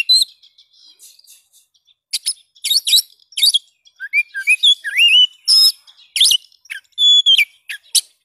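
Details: Oriental magpie-robin (kacer) delivering a varied song of soft twittering, harsh rasping bursts, looping whistled slurs and held pure whistles ending in downward chips.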